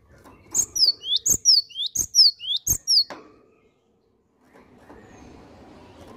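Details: Steady nonstop singing from a cinereous tit: four rapid high phrases of sharp notes and slurred falling-rising whistles, then a hush and faint background murmur.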